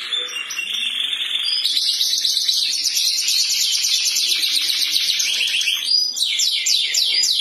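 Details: Canary song in the morning, intended to help silent canaries start singing: a thin high buzzing trill runs most of the way, turning into a few swept notes near the end.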